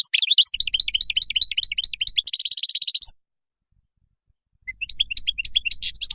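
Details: Goldfinch singing wild song used to tutor young birds: a string of quick twittering notes, then a fast buzzy trill, silence, and a renewed jingling phrase.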